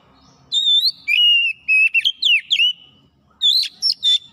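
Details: Oriental magpie-robin (kacer) in chatty gacor singing that shows off its repertoire: clear whistled phrases around upper-middle pitch, a long steady note sliding down, then quick twisting whistles after a short pause. Quiet background.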